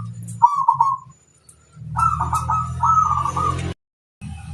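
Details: Wild-bird luring song of a local zebra dove: a trilled coo phrase, then a longer rolling string of coos masked partly by loud low droning noise, which cuts off abruptly.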